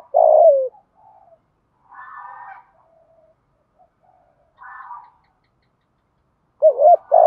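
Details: Kept spotted dove in 'giọng thổ' voice: one long falling coo opens, followed by soft buzzy and murmured coos, ending with a pair of quick rounded coos.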